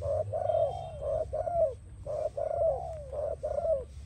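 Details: Spotted dove singing, a recording used for training and attracting doves: a steady run of soft, hollow coos, each slightly falling at the end, given in quick groups of two to four with brief gaps, over a low background rumble.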